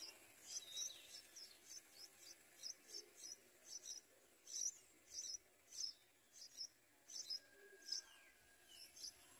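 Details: Nestling yellow bulbuls being fed by a parent; high, thin chirps repeated steadily roughly twice a second for the whole stretch, with a faint low whistle near the end.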